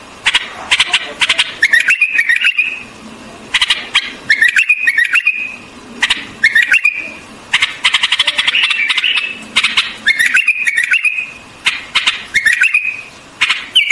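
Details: White-eared bulbul repeating a short bubbly whistled phrase roughly every two seconds, each one preceded by quick clicking notes, over fourteen seconds.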